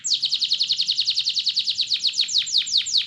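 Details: Canary tutor song played to make other canaries sing: an unbroken series of quick, high, downward-sweeping notes, about five to six per second, slowing slightly toward the end.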